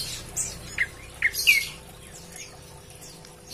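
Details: Prinia calling its companions: a few sharp, short chirps with quick downward-sweeping notes spaced irregularly, then long quiet gaps with faint higher twitters and a steady low hum behind.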